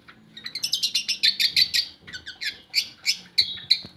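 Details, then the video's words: Long-tailed shrike song intended to draw reluctant shrikes into singing: a fast series of sharp high notes, then slower, evenly spaced chirps. "Pancingan Buat Burung Cendet"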